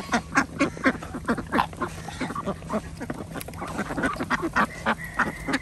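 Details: Farm ducks during feeding on an organic duck farm in Andhra Pradesh; short, clipped quacks repeated in quick series, about four a second at their fastest, with a low steady hum and scattered background calls.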